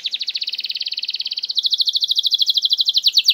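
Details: A canary's continuous, rapid, high-pitched rattling trill in the 'nembak' style, used to draw reluctant birds into singing. The pulses stay very even throughout and grow slightly louder and sharper toward the end.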